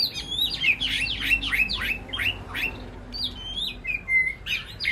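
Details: Shama, the white-rumped species, communicating with its flock in an aviary sanctuary: a series of loud, falling, slurred whistles roughly one per second, followed by a few clear level whistles and a closing chattery burst.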